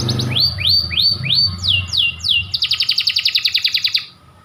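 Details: Domestic white canary, a panda-type bird, singing long persistent phrases: a run of bright downslurred whistled notes about four per second, then a fast buzzy trill of rapid repeated pulses before fading; low rumbling background noise at the start.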